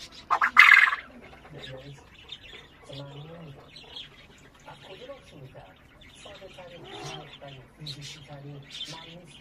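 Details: Common quail on a spring day, one of a pair described as father and son. A single loud, sharp burst of song near the start. People talk quietly throughout, and small birds chirp in the background.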